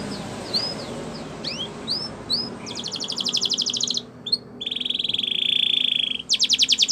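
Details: Spanish Timbrado canary training song over background hiss: soft upslurred whistles, a fast buzzy trill, a long smooth rolling tone, then a loud rapid pulsed trill.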